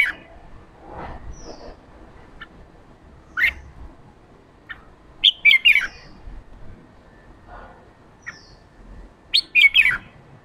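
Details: Male red-whiskered bulbul, worked up, giving ché song to encourage wild-caught bulbuls into voice: scattered chips early on, then two lively bursts of slurred, warbled whistling about four seconds apart.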